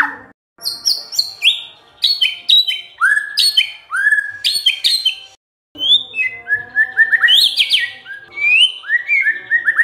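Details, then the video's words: Lure song of a White-rumped shama to make other birds sing: bursts of sharp whistles and upslurred notes, a brief pause, then a fast tumbling series of rising and falling whistled phrases. "MURAI BENGONG LEWATTT❗Pasti NYAUT Dengar Pancingan ini"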